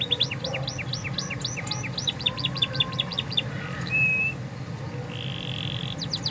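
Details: Stimulating canary song for shy singers: rapid paired notes repeated in a run, then a short pure whistle and a long flat held whistle, ending in a brief trill; low hum beneath.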